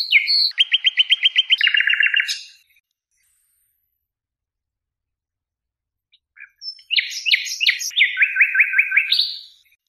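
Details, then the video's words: Nightingale singing on a song tape: a rapid run of even, buzzy repeated notes lasting about two seconds, then four seconds of silence, then a varied phrase of quick chirps ending in another fast repeated trill. "تغريد عندليب"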